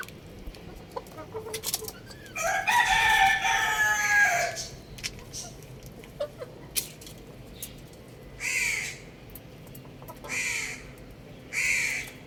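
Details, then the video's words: Young rooster playing on a roof: one long, rough, hoarse call of about two seconds, then short, harsh calls repeated about every two seconds, with faint clicks and rustling between them. "Adorable Young Rooster Chirping Sounds"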